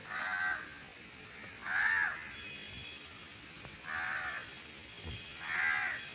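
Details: Barn owl, during flight training, giving four harsh, hissing screeches, each about half a second long, repeated roughly every two seconds, with faint background hiss between them.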